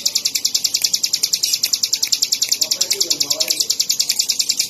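Bar-winged Prinia singing a fast, steady run of high, piercing notes, about eight per second, with a faint low murmur beneath.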